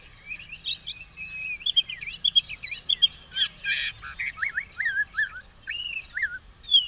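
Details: Fired-up white-rumped shama in fighting mood pours out a fast, rich song: bright whistled slurs, trills and chattering notes tumbling together, then wavering looped whistles near the end.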